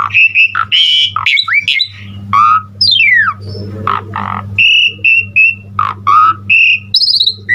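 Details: Asian pied starling (jalak suren) in gacor full-repertoire song for tutoring other starlings: a jumble of harsh rasping notes, steep falling sweeps and short whistled phrases.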